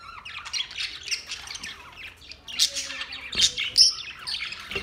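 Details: Green parrots recorded in Larkana, Sindh, on August 30, 2023: scratchy squawks and thin chirps that build toward several louder, piercing screeches near the close.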